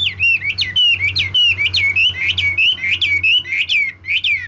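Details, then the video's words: Red-whiskered bulbul, valued for its high-class song, delivering a continuous string of loud looping whistled phrases, each rising then dipping, with almost no pauses, over a faint low hum. "Chú mi cực hay, đảo giọng hót tốt hót rất đẳng cấp"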